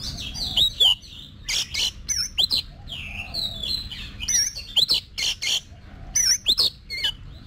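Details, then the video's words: Oriental magpie-robin singing during voice training for song contests: short, loud whistled phrases with downward slurs, separated by sharp clicks and brief pauses. "Luyện Giọng Cho Chòe Than Hót Đấu"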